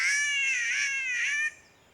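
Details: A Green Catbird in the ancient rainforest of Lamington National Park, Queensland, Australia, gives a drawn-out, nasal, wavering wail lasting about a second and a half, strikingly like a cat's meow.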